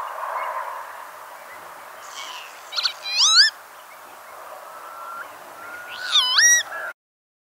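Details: Northern lapwing, listed as critically endangered in Norway, giving two separated wheezy calls, each a strained note bending sharply upward, about three seconds apart, over a low background hiss that ends abruptly.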